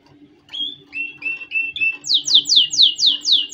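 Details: Canary song played for training chicks: a few clear whistled notes near the middle, then a fast run of about six bright, downward-sweeping notes repeated evenly, all high-pitched, with a faint steady hum underneath.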